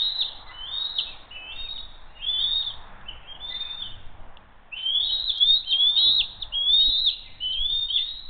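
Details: Bald eagles at Hays, family flying in for dinner on the evening of June 22, 2023: bursts of piercing high chirps roughly once a second, a brief pause midway, then a louder run; quiet background.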